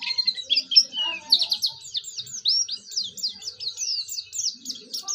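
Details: Oriental white-eye, practising its song and used to prompt other white-eyes to join in, delivers a hurried, high twittering warble of sliding chirps, with faint low voices in the background.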